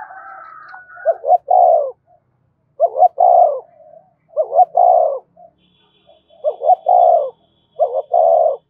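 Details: Spotted dove cooing to call and provoke other doves: five low, mellow three-part phrases, two short hooting notes and a longer throaty coo, repeated about every two seconds with near silence between.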